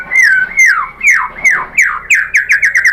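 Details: White-rumped shama song used to lure other shamas into answering: a series of loud downslurred whistles that quicken steadily, about ten notes in three seconds.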